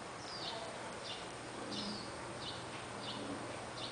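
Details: Warbling white-eye nestling, nine days after hatching and two days before fledging, gives thin, high, down-slurred peeps about one every half second to second, over a steady hiss.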